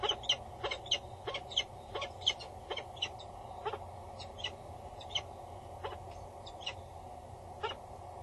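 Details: On Axel Tower, a female peregrine falcon bows and calls loudly above the nest box while the male stays nearby, 22 August 2019, 10:55; a rhythmic run of scratchy, harsh notes, fading slightly toward the end, with low hum.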